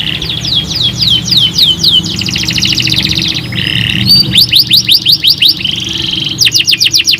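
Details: Canary singing to encourage other canaries to sing: changing phrases of fast trills, buzzy rattles and rapid repeated sweeping notes, switching every second or so, with a low steady hum in the background.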